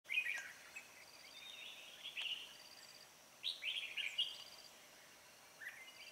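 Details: Red-whiskered bulbul used as a lure bird for trapping on a late afternoon, 16 March 2020: short warbled, slurred phrases in bursts with pauses between, over a faint steady high insect-like tone.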